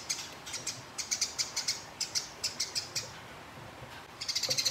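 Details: House sparrow in a fight with a rival. It gives runs of sharp, high ticking notes, spaced and uneven at first, then a quicker rattling burst at the end.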